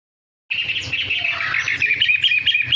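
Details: Long-tailed shrike singing strongly: a dense, continuous, varied chatter of scratchy and whistled notes, with no pauses.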